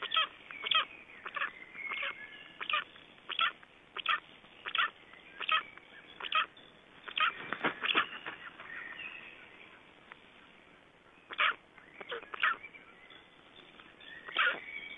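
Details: Black storks at their nest in Estonia, 31 May 2012, with nest change, feeding and nest-material bringing: a series of sharp broadband rasping bursts roughly every half second to second, briefly pausing, then resuming, over faint background hiss.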